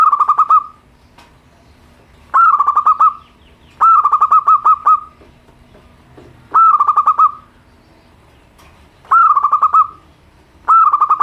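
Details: Simple song of a local zebra dove, Indonesia, played as therapy for birds slow to sing: six bursts of fast, evenly spaced staccato coos, each burst a second or so long, recurring every one to two seconds.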